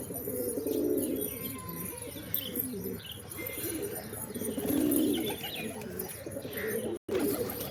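Pigeons give low, soft rolling coos, swelling and fading in bursts, with faint chirps from small birds and a steady hiss of background noise.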